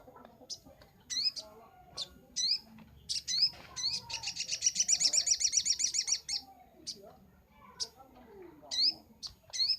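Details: Sunbird song from a training master: high thin upswept chips repeated irregularly, broken by a fast pulsing trill of about three seconds, then more scattered chips.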